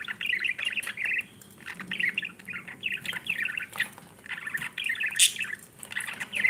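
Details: Budgerigars, a breeding pair with babies, chirping; bright, rapid warbled chirps and chattering in bursts, with brief pauses and one sharp high squeak.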